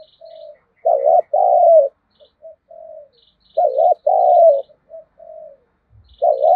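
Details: Spotted dove lure bird with a 'giọng thổ' style voice, used to provoke wild birds to fight. It gives loud, hoarse two-part coos about every three seconds, each followed by quieter, lower trailing coos.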